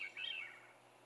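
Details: A Veery sings on a cold morning, 14 June 2020, at Saint-Antonin, Québec: a brief high note, then a fluty, reedy phrase sliding downward and fading, over faint background hiss.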